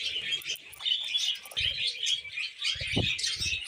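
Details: Budgerigar couple perched on a hand, singing a rapid jumble of squeaky chirps and buzzy twitters, interrupted by soft low thumps.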